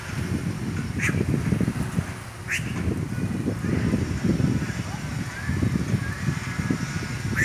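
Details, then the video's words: Red-rumped caciques at their nests hanging in trees in a town square. Short, sharp calls come at about 1, 2.5 and 6 seconds over a steady low rumble of wind or traffic. "CANTO DOS PÁSSAROS "GUACHO""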